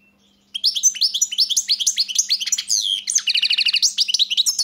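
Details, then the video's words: After a brief quiet start, a European goldfinch bursts into nonstop twittering song of rapid rising notes, shifting into a buzzy repeated trill and back to chirps; faint hum beneath. "Pesma štiglića"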